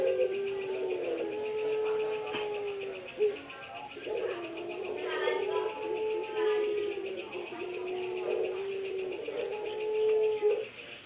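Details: Three productive male ringneck doves (Barbary doves) give long, low, slightly hoarse drawn-out coos, overlapping every second or two over faint hiss. Their voices turned hoarse after too long in the breeding cage and are now recovering.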